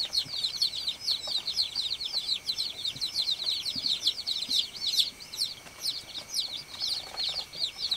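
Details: A group of baby chicks on a farm chirping nonstop, a busy overlapping run of thin, high, falling peeps over faint low background rustle.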